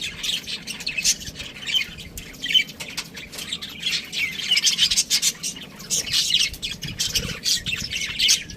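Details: Budgerigar flock chirping: steady high-pitched warbles and short sharp chirps overlapping continuously, with scratchy squawks mixed in and light background rustling.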